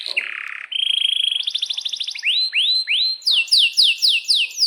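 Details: Canary in long rolling song: a buzzy phrase, a rapid even trill, rising whistled sweeps, then repeated sharp downslurred notes about two per second.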